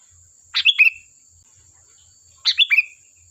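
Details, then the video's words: Sooty-headed bulbul song, used as a lure so other bulbuls answer: two short, bubbly chirping phrases about two seconds apart, each a quick tumble of notes ending in a slurred falling whistle, over a steady thin high whine like an insect. "Suara burung Kutilang Gacor || Ampuh untuk pancingan, dijamin nyaut"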